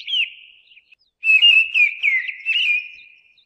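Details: Mistle thrush singing: a brief whistled note, a pause, then a loud flowing phrase of fluting, slurred whistles with quick rising and falling inflections, fading at the end. No other sounds.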